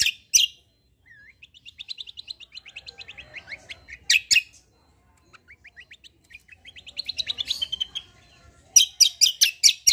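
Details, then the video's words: White-eye (kecial), a contest fighter bird, in 'kombo cucak kombo' style song used for tutoring: rapid strings of thin, high rising notes, broken by loud sharp chirp bursts at the start, middle and end. "KECIAL KOMBO CUCAK KOMBO FIGHTER GACOOR"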